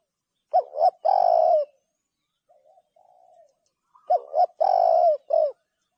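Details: Spotted dove cooing: a loud phrase of two short upswept notes and a long held coo, a pause with soft quiet coos, then a second loud phrase ending in a short added note.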